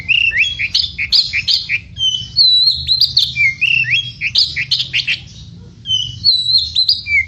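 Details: Oriental magpie-robin singing a fast, varied song of sweet whistles, chirps and short slurred notes, dense phrases with brief pauses, a steady low hum underneath.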